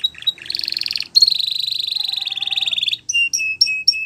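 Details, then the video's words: Canary song used for training young canaries: a rapid pulsed trill roughly a second long, then a longer steady rolling tour near three seconds, ending with short separate upslurred whistled notes. "Canary Training Song"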